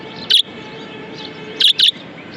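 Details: Pet budgerigar kept indoors: three short, sharp chirps, one near the start and a quick pair about a second and a half later, over a faint steady background hiss.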